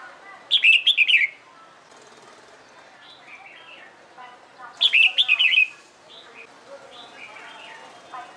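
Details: Red-whiskered bulbul trained for singing contests, pouring out longer rapid warbling phrases of many fast notes, two bursts about four seconds apart, with softer answering chirps and twitters from other birds.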